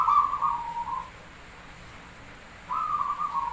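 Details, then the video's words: Zebra dove (perkutut, Java) singing: a soft cooing phrase that drops slightly in pitch, a pause of over a second, then another similar cooing phrase. "Suara Jumlah Ketukan perkutut pandai burung Paling Gacor | Merbok perkutut Jawa Pancingan Gacor"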